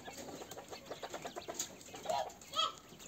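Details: Ukrainian fighting quail in captivity: a run of soft, rapid clucking pulses over the first two seconds, then two louder, sharper chirped calls, one rising and one arching, against a constant background hiss.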